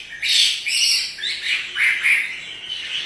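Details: Caged Chinese hwamei, singing while dancing, gives a few loud, harsh, squawky whistled bursts separated by short pauses.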